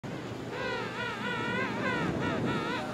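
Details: Gentoo penguin at Gold Harbour, South Georgia, February 2022, giving a harsh, braying call in about five quick wavering pulses over two seconds, against steady wind and surf.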